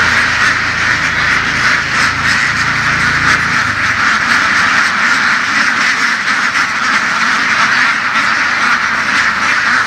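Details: A large flock of domestic laying ducks, herded through the fields in western Vietnam, gives a dense, continuous chorus of overlapping raspy quacks. A low engine-like hum runs under the first four seconds.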